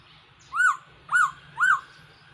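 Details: Black-throated laughingthrush used as a trapping decoy: three evenly spaced arched whistles, each rising then falling, about half a second apart, against a steady low background rumble.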